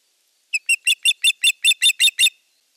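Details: Osprey in courtship display and sky dance for an unringed female, Eurajoki, 25 April 2022: a steady series of ten loud, shrill piping cheeps, about five per second, swelling after the first notes, in otherwise quiet air.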